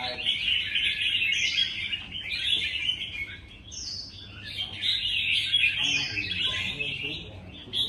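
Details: Red-whiskered bulbuls at a singing contest, pouring out rapid bubbly phrases of about four notes per second, each burst ending in a sharp high upslur, several voices overlapping.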